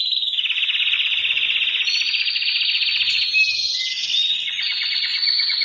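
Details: Male canary singing during intense preparation for mating: unbroken rapid rolling trills that shift in pitch from one tour to the next, with short high whistled notes laid over the top.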